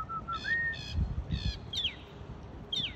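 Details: Bird singing from a palm tree by a marina in Wilmington, North Carolina: a short whistled rising slur, harsh nasal buzzy bursts and sharp descending chips, with steady low rumble and background noise beneath.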